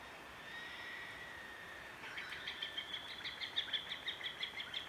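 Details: On a rural property in Victoria, Australia, around dawn, Sulphur-crested Cockatoo fledglings beg as an adult apparently feeds them: a drawn-out harsh, nasal tone, then fast rasping, grating pulses, about three each second.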